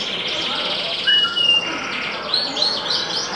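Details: Caged canary of the yellow type singing steadily: high warbled trills and rolling notes held around one pitch, with brief sharper whistled phrases near the middle and end over a constant hiss.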